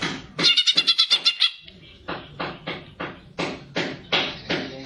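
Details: Energetic greater green leafbird fighter song for stimulating young or untrained birds: a fast burst of about eight bright rising notes, then slower harsh, broad chattering notes spaced roughly every third of a second.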